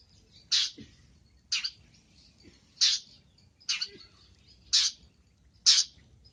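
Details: Long-tailed shrike singing actively, a masteran recording full of varied phrases: six scratchy, broadband rasping notes spaced roughly a second apart over a low background murmur.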